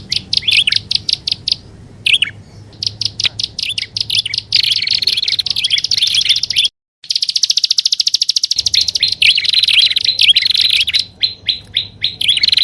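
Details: Prinia calls used as a lure sound, a mix of prenjak alang-alang with upper and lower prenjak: rapid, dense trains of sharp buzzy chirps in bursts, broken by short pauses and a brief silence midway.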